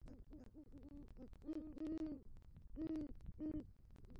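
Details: Great horned owl at a Southwest Florida nest tree, 3 November 2023. The male returns with rodent prey and calls for the female. A run of short deep hoots leads into four longer, stronger hoots, with crackling clicks behind.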